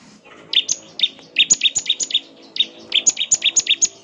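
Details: Bar-winged prinia delivering rapid high chirps, about four per second, in two bright runs separated by a short pause.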